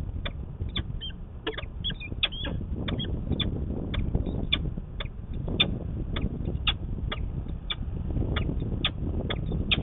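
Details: Peregrine falcon courting in the morning in Manchester, New Hampshire, March 25, 2020. Rapid chittering runs of short, sharp notes, sometimes clustered and sometimes spaced, continue throughout over steady low background rumble.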